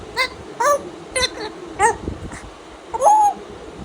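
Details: Tame pet African grey parrot welcoming the day with playful mimicry, short nasal squawks and whistled slurs in quick succession, ending with a longer arched whistle.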